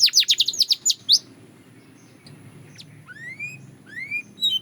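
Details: Belgian canary song opening with a fast burst of sharp descending chirps for about one second, then a pause and several softer rising whistled sweeps, spaced apart, over faint room noise.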